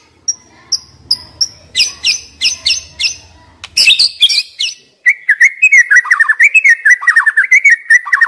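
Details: White-rumped shama, young forest bird, singing to stimulate young wild birds: evenly spaced sharp high chips speeding up, a harsh burst, then a long fast chatter of buzzy, slurred whistles.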